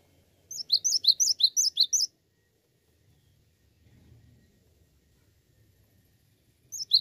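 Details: Cinereous tit in full song: a burst of about five quick high-then-lower two-note phrases, a pause of several seconds with faint low background sounds, then the phrase starts again.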